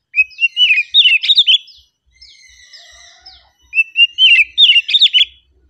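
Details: Oriental magpie-robin in a relaxed song, loud and close: two bursts of quick, tumbling whistled notes with buzzy accents, separated by softer, sustained high whistles.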